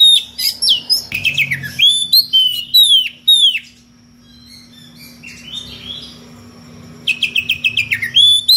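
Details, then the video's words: Magpie-robin calling a rival, singing loud bursts of sharp downslurred whistles and squeaky notes in rapid clusters, with an odd, varied mix of sounds, a quieter pause in the middle, and a steady low hum throughout. "SUARA KACER NGEPLONG MEMANGGIL LAWAN DENGAN VARIASI SUARA ANEH"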